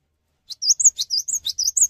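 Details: Cinereous tit in full song, inviting other tits to join in: after half a second of silence, quick high three-note phrases repeat about four times, each a sharp downward note, an arched whistle and a thin higher note.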